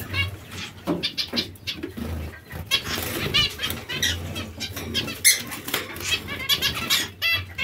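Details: Zebra finches giving short nasal, harmonic calls in quick irregular bursts, with soft wing flutters and low rumbling background noise.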